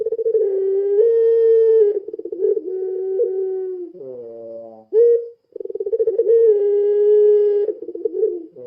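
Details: Lure call of a puter pelung dove, with long sustained low coos broken by rolling trilled phrases. A brief descending layered note sits in the middle, and the pattern repeats twice.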